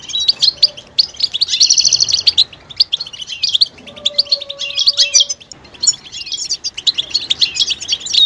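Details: A European goldfinch gives mating-readiness calls to stimulate males to sing: a buzzy trill early on, then quick bright chirps and twitters, with a faint low steady tone mid-way.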